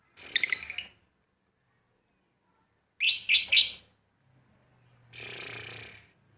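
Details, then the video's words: Lovebird in lively, vocal form: a rapid burst of high sharp chirps, then three loud harsh grating notes, then a noisy broadband rasp, with short silences between. "Love bird gacor"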